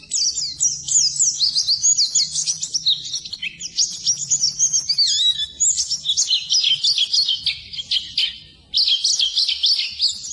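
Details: White-eye song meant to coax non-singing birds: long, dense, high-pitched twittering of quick stepped notes, with a brief drop in volume near the end before a loud burst resumes.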